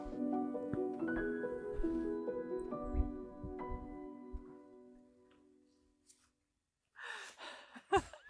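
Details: Mellow vibraphone-like music rings out and fades, then after a pause comes a brief burst of noise, possibly a voice or handling, with no animal sound.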